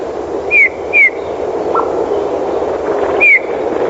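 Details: A Eurasian bullfinch in winter gives soft, piping whistles that fall slightly in pitch, three in quick succession with one lower short note between them, over a steady background hiss.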